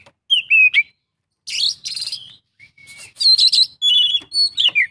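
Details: Oriental magpie-robin in full isian song: sweet slurred whistles, then buzzy rattling bursts, a level whistle and quick wavering phrases ending in descending notes.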